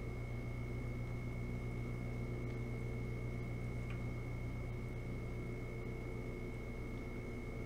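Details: Constant low mechanical hum with a steady high whine and a faint tick or two; no animal calls.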